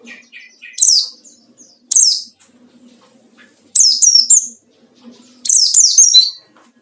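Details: Song of a white-eye, played as a lure for rivals: high, clear downward-slurred chirps grouped in quick bursts of three or four, spaced by short gaps.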